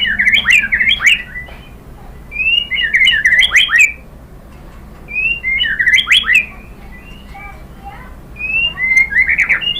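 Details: White-rumped shama song played to provoke captive birds into singing: bright whistled phrases in short bursts with sweeping, slurred notes and quick chips, separated by pauses of about a second, over faint low background hum.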